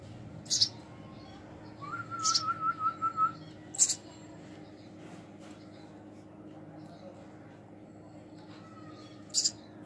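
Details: Baby house sparrow being hand-fed, a few isolated shrill chirps over a quiet indoor background, with a short wavering whistle early on.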